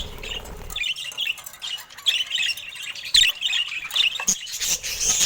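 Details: Chattering pet budgies of mutation colours: rapid, grating warbles and short squeaky chirps run almost unbroken, rising to harsher squawks toward the end, with a few soft knocks.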